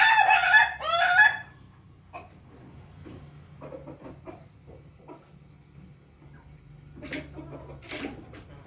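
A Pelung rooster gives a loud, rough two-part crow, then soft scattered clucks, and a second, fainter crow near the end.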